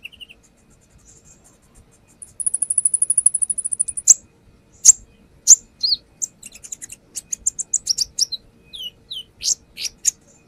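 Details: Konin, the brown-throated sunbird, singing for a lure: a short low note, then a long fast buzzing high trill lasting about two seconds, followed by a jumble of sharp ticks and squeaky chirps.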